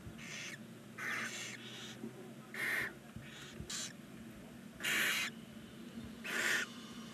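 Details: Nine barn owl nestlings on day nineteen inside a nest box fixed to a chimney in Ságvár, Hungary: harsh, breathy snoring hisses, each under half a second, come irregularly about once a second, some overlapping.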